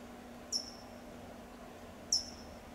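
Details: Two sharp, high tsip notes from a California towhee in Del Monte Forest, California, about one and a half seconds apart, each brief and clipped, against faint low background hum.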